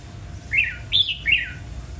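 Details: Red-whiskered bulbul, kept as a song bird, giving three short warbled phrases of slurred whistled notes, each rising then falling, about a third of a second apart, over a low steady hum.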